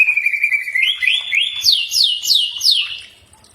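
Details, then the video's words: Green leafbird song used as a training recording to draw a reply: a long falling whistle, then a run of rising, looping whistled phrases repeated about three per second, clear and bright, fading at the end. "Mastran burung cak ijo pasti nyaut"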